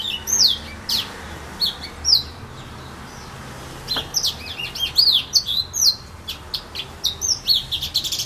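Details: Serin among filao trees at Saint-Philippe, Réunion, singing a lively run of high, sweet chirps and slurred whistles, many notes sweeping downward, in quick bursts with brief pauses, over a soft steady background hiss.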